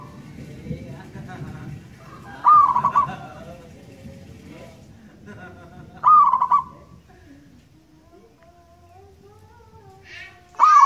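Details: Singing local wild zebra dove with a long, loud voice. Three stuttering coo phrases arrive roughly every four seconds amid low rumble and some faint other sounds.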